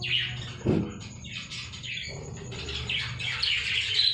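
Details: Many budgerigars in a breeding colony of about 50 pairs chatter together in a steady stream of high warbling chirps and squeaks.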